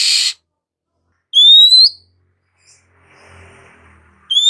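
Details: Morning song of an Oriental magpie-robin: a single bright whistle sliding upward, preceded by a short harsh burst and followed by a quiet gap and another upslurred whistle.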